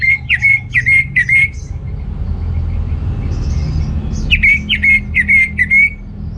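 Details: Orange-headed thrush singing, used to lure and stimulate males lacking breeding drive: two bouts of loud, clipped whistled notes repeated about twice a second, separated by a quiet gap with faint background hum.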